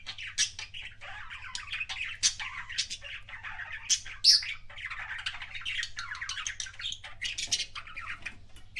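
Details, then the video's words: Pet budgerigar giving kissing sounds: rapid chattering of sharp clicks, tiny squeaks and buzzy warbled notes, with a few louder accented chirps, over a quiet low background hum. "BUDGIE KISSING SOUNDS"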